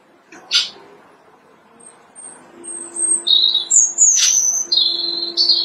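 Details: Robin singing on branches in March, early spring; a couple of sharp clicks, then high, thin whistled notes and trills, with a faint steady low hum beneath.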